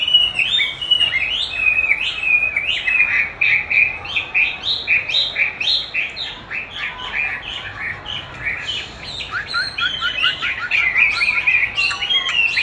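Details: Chinese hwamei kept for song training, dueling with playback of its own voice: a long, unbroken stream of loud, quick whistled notes and slurred phrases, varied and fast throughout.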